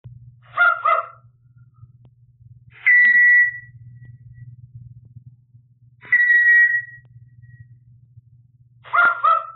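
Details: Talkative pet African Grey parrot indoors after a live stream: four loud calls spaced about three seconds apart, alternating clipped voiced syllables with clear whistled notes that hold level, over a low background hum.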